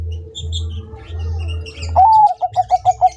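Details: Zebra dove of the Bangkok type singing in full voice, recorded as tutor song for training other doves: a rising drawn-out opening note, then a quick run of about eight short, even cooing notes. A steady low hum sits underneath.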